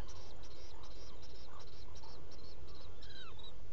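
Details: Black guillemot in its burrow at night on Seal Island NWR, Maine, burrow camera, July 2018, early morning hours: a quick run of high whistled notes followed by thin sliding, falling whistles, under heavy low rumbling noise.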